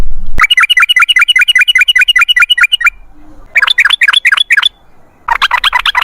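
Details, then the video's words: Loud, rapid 'ropel' song of a sooty-headed bulbul: a long run of sharp, evenly spaced chirping notes, then a pause and two more bursts of richer, slurred notes, with a soft low murmur between phrases. "MASTERAN TRUCUKAN TERBUKTI AMPUH : Ropel Ngalas"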